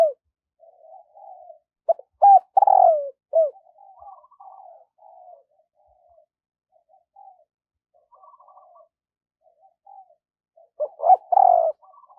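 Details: Decoy spotted dove calling in the morning to lure wild doves: two loud bursts of low hoarse cooing, each a short note then a drawn-out falling coo, with softer cooing phrases scattered between them.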